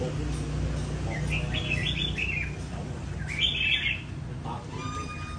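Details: Red-whiskered bulbul kept at a bird café, tamed and trained to run its song phrases (chạy cầu) in a leisurely rhythm: two short bursts of bright warbling chirps over a steady low hum, with faint voices.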